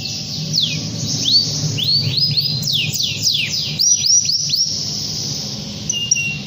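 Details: Canary in long song, calling a rival: sharp down-slurred whistles repeated quickly, then buzzy trills and a few clear short notes near the end.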